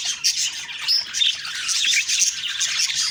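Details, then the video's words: Morning budgerigar chirping, with short squeaky whistles and warbling chatter from several birds packed closely together. "Beautiful morning birds chirping sounds/Budgie sounds"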